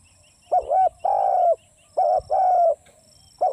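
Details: Spotted dove repeating its low coo phrase twice, a short doubled note followed by a long, rough, slowly falling coo, with the start of a third phrase at the end.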